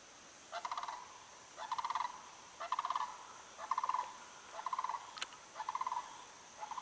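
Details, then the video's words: A distant Sandhill Crane gives seven rolling, rattling bugle notes about once a second, over an insect hum, on a humid, muggy, overcast day near Shinn's Ditch and the Withlacoochee River. "as you can probably hear that's the call of the crane"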